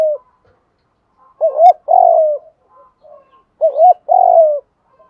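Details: Spotted dove cooing, played to train and provoke decoy birds into calling; a low, hollow two-part phrase, a short wavering double note then a long falling coo, given twice about two seconds apart with soft faint notes between.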